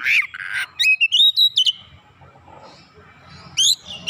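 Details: Kacer (oriental magpie-robin) in lively gacor song used as a pancingan lure: rapid chain of sliding whistles and buzzy notes, a quiet gap, then renewed rising whistled notes.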